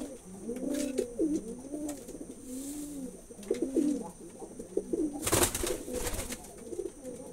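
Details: Several domestic pigeons give rounded, bubbling coos in overlapping phrases, with a sharp broadband clatter near the end and a steady high-pitched hum in the background.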